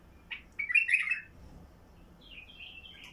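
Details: Heavy-throated Basra bulbul song meant to set quiet bulbuls singing: a brief note, then a loud rich warbled phrase, followed by a softer rising fluty run.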